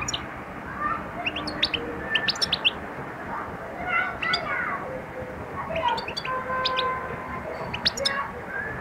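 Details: European goldfinch beginning to sing and attack: bursts of sharp, high twittering notes around 1.5–2.5 s and again near 4, 6 and 8 s, over steady mid-pitched whistled tones and a constant background hiss.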